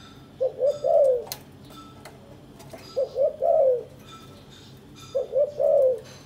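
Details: Spotted dove in a caged breeding pair, courting with mutual preening and nest building; three phrases of two quick coos ending in a drawn-out falling coo, spaced roughly two and a half seconds apart, with faint ticking and clicks.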